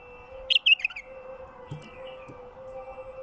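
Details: One quick, liquid bulbul phrase of four or five tumbling notes at the start, from a wild bird whose song is played to attract wild bulbuls; then only a steady hum with faint background noise.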